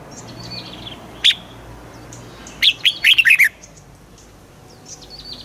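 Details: Caged red-whiskered bulbul in southern master style, used to excite other birds: one brief sharp note, then a burst of five fast slurred whistles dropping in pitch, with faint soft chirps in the background.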